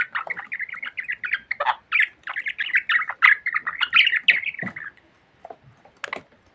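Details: Pet budgie talking a lot, a rapid, continuous stream of chirpy, grating warbled syllables for about five seconds, then a few isolated notes.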